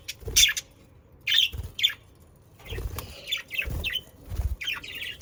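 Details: Australian parakeets, or budgerigars, offered as sounds to get pet budgies singing: scattered short squeaky chirps and harsh notes in separate bursts, with dull knocks and rustling between them.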